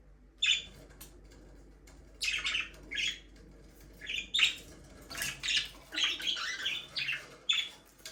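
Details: Pet parakeets (budgerigars) chirping, played for a lonely bird, with a sharp opening note, then bursts of buzzy chatter and squeaky chirps at irregular intervals over a soft room hum.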